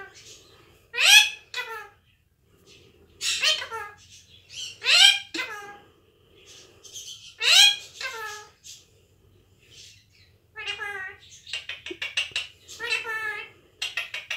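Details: Pet Indian ringneck parakeet talking up a storm indoors in a small room: high-pitched, speech-like harmonic syllables with swooping inflections in bursts, then a quick run of rapid clicky chatter near the end.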